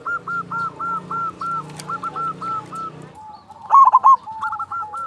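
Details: Local zebra dove singing loudly, its song used as a lure to get other doves singing: after three seconds of faint background cooing over a low hum, a loud rolling, bubbling coo phrase bursts out, followed by softer coos.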